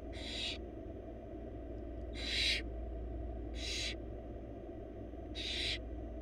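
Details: Wild barn owl chicks, four young in a nest box, begging while their mother feeds them a large rabbit: harsh, broadband hissing screeches about half a second long, four bursts at irregular intervals over a steady low hum.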